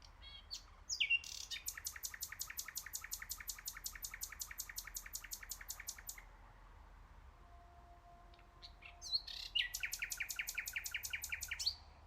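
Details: Nightingale song with a long, very rapid machine-gun rattle of sharp repeated clicks lasting about five seconds, a pause with a faint low tone, then a second rapid rattled phrase.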